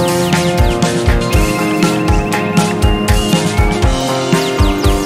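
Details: Loud rhythmic background music with a steady beat and layered instruments, with no bird voices audible.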